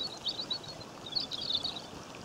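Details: A European robin in Great Britain in May 2015 sings two short bursts of thin, high, tinkling warble, rippling up and down, beside a stream whose steady rush fills the background.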